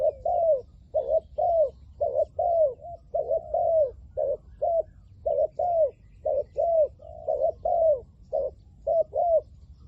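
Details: Caged decoy Spotted dove calling in Thailand to draw in wild doves; a steady run of hollow coos, short paired notes alternating with longer sliding ones, roughly one phrase per second, with faint low rumble behind.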